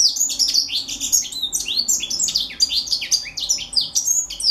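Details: Juvenile African citril delivering a continuous, rapid high twittering song of sweeping, tinkling notes and trills, sustained without pause across the whole recording.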